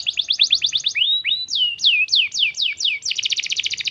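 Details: Canary song played as a lure for young birds to reply: quick run of repeated chirps, then rising and swooping whistles, sweeping descending notes, and a dense rapid roll at the end.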